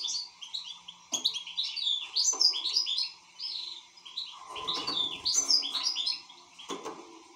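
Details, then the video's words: Goldfinch twittering in short high chirpy phrases, interrupted by sharp clicks and knocks, likely cage noises, with a muffled low rumble partway through. "حسون شغال"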